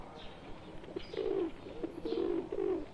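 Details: Pigeon cooing in a flock of wild pigeons joined by a pet bird, India: two or three soft, throaty rolling coos in quick succession over a quiet background.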